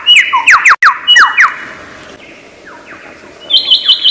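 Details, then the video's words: Lyrebird from Australian forest, a noted mimic, delivering rapid downslurred whistled notes in a burst, a quiet gap, then a series of short high chips repeated about four times. "Lyre Bird Burung 1001 Suara"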